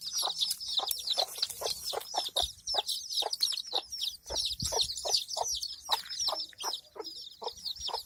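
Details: Hen with her chicks in a village: a dense chorus of high, thin chick peeps runs continuously over short, lower hen clucks repeated roughly every half second.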